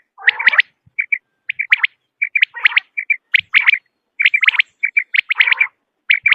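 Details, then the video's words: Common quail calling in a hunting-lure recording: short high whistled notes in pairs alternate with bursts of sharp chirps and a few rough buzzy notes, roughly once a second, clean background. "بٹیر کی اواز 1 گھنٹے کی Quail Beautiful voice"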